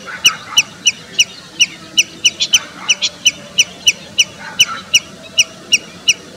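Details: Common redshank recorded in India: loud, clipped, high piping notes repeated in a fast, even run of roughly three per second, with soft chatter from other birds underneath.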